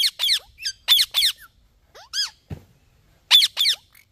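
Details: Green ringneck parrot calling: loud, harsh screeching squawks in quick pairs and bursts, with a few thinner rising squeaks between them and a low thump near the middle.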